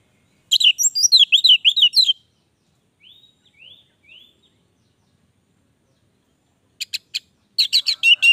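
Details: Orange-headed thrush in lively, long-running song: a fast tumbling run of bright slurred whistles, three soft rising notes after a pause, then a few sharp clicks and another rapid burst of high twittering notes.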